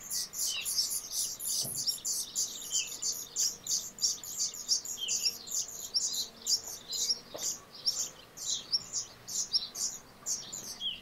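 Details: Black redstart filmed close to the camera: dense, rapid high-pitched chirps and tweets follow one another almost without pause across the clip, with a faint low thump now and then.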